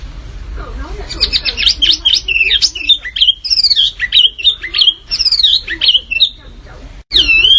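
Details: Canary song for tutoring contest birds: a dense, fast jumble of high twittering and chirping notes with quick up-and-down slides, broken by a brief gap near the end before a loud whistled phrase resumes.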